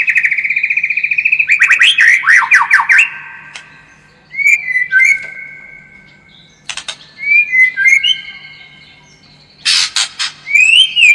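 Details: White-rumped shama song meant to make the bird more combative: a steady whistled tone, then rapid descending slurs, followed by clear whistled phrases separated by short pauses and scattered sharp clicks.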